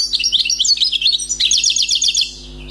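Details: Wild-caught European goldfinch in song, free of faults: rapid liquid twittering phrases, then a quick series of sharp repeated trilled notes, fading to quiet at the end.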